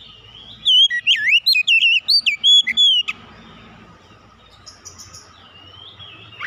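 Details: Kacer, the oriental magpie-robin, pouring out a quick series of looping whistles and chips for about two seconds, followed by low hum and faint distant bird notes.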